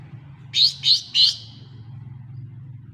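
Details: Lesser green leafbird lure sound for getting a silent bird to sing: three short, buzzy, high-pitched notes in quick succession, then steady low hum with no further calling.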